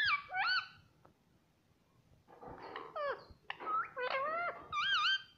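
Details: Talking pet green ring-necked parrot indoors: short wavy, harmonic syllables in clusters, with a quiet gap early on, sliding downward strokes, and a final bouncing two-note phrase.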